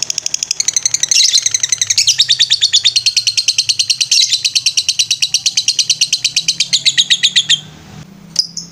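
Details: Master recording of a lovebird's 'ngetrek' song for training birds: a long, unbroken, rapid high trill of rattling notes that runs for about seven seconds, then stops abruptly and leaves brief faint chirps.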